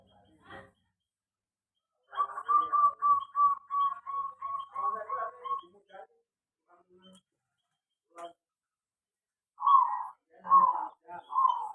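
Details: Local zebra dove in a small aviary delivering a long string of rhythmic, pulsed coos, then scattered single notes and three louder, rounder coos near the end in a quiet room.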